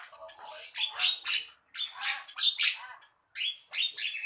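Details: Harsh, squawky phrases from a Javan myna, given in quick pairs of grating, broadband notes with brief pauses between groups.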